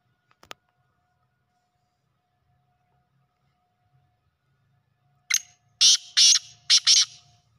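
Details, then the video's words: Black francolin from village life: after several seconds of quiet indoor-sounding stillness with a faint hum, a short harsh note then three loud rasping, grating bursts in quick rhythm. "beautifull sound of black partridge"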